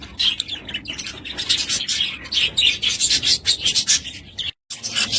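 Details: Budgerigars calling at home, a dense run of squawky, chirping chatter with rapid overlapping notes, briefly cut to silence near the end.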